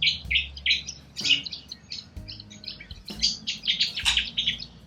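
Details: Wild Australian corellas squawking in a noisy flock, with short harsh high bursts repeated irregularly and overlapping, plus a low steady hum.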